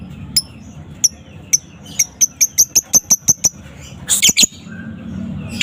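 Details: Young balibu fighter lovebird in the afternoon: isolated high chirps that quicken into an evenly accelerating series of sharp ticks, ending in a brief harsh squawking burst.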